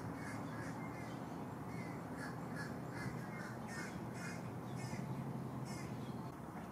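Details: Three green heron chicks in a nest at Lake Hollingsworth, Lakeland, Florida, fighting for food brought by parents: a steady series of short, harsh, scratchy calls, several per second, over constant low background rumble.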